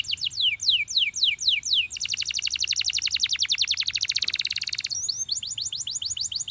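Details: Champion canary singing: a run of quick high notes sweeping downward, then a long fast rattling trill of about three seconds, then more rapid descending notes.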